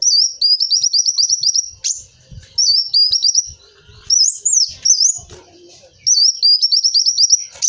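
A sunbird sings very high, thin, rapid runs of sharp chirping notes in bursts of about two seconds, with brief upward-swooping whistles between them.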